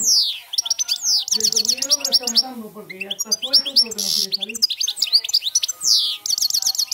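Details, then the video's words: European goldfinch singing 'cante campero', a continuous stream of rapid twitters, descending slurs and buzzy trills, accompanied for several seconds by a low wavering tone in the background. "jilguero cante campero"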